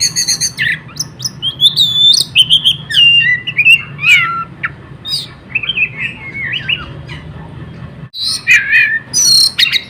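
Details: Kacer, the Oriental magpie-robin, singing busily and without pause to draw in other birds: rapid varied whistles, slurred upward and downward notes and buzzy chips spilling one after another over a faint low hum.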